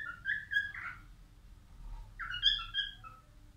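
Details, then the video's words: Albino cockatiel, male, sings two whistled phrases separated by a short pause. The notes slide and warble, with a low background rumble. "تغريد كالوبسيت البينو"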